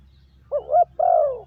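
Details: Spotted dove giving a lure call used to train decoy birds: a short double coo followed by one longer, slightly falling coo, clean and close with a faint low hum beneath.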